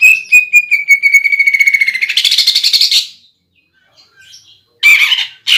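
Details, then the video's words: Caged greater green leafbird song used as a lure, filled with woodpecker, kingfisher and sparrow imitations. A long, evenly pulsed buzzy trill breaks into a rougher, louder rattle. After a silence, two more harsh bursts follow. "PANCINGAN CUCAK IJO ISIAN PELATUK BAWANG SAMBUNG TENGKEK BUTO DAN GEREJA TARUNG"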